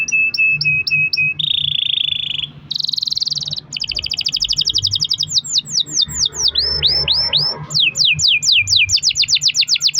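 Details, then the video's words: Canary singing a long-roll lure song meant to prompt other canaries into song: clipped high notes, then buzzy sustained trills, a dense rapid rattle, and fast runs of descending whistled sweeps, loud and continuous throughout. "kenari gacor ROL PANJANG buat pancingan kenari agar bunyi"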